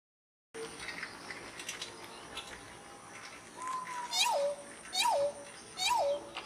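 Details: Pheasant-tailed jacana giving its breeding song: three loud, nasal mewing notes, each sliding down with a kink and ringing overtones, repeated roughly every 0.8 seconds after a stretch of faint, busy background hiss and distant chatter.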